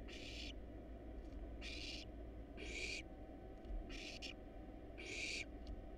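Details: Wild barn owl nestlings in a camera-monitored nest box, hungry and eating a rat and a rabbit, repeat loud hissing snore calls, five half-second bursts in six seconds, over a continuous low hum.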